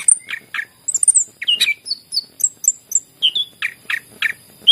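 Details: Greater green leafbird song meant to coax reluctant leafbirds into singing: separate bright whistled notes, some high and thin, others lower and slurred, delivered in a steady stream of short phrases.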